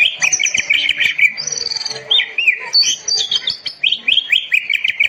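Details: Oriental magpie-robin song for training silent caged birds: quick repeated whistled notes, a long high sustained whistle, then looping slurred phrases and fast twittering series.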